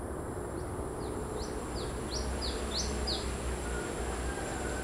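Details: Wild brown-throated sunbird singing in the wild: a run of about eight thin, high, sharply slurred notes, alternately rising and falling, delivered quickly over three seconds against a steady low hum of background noise.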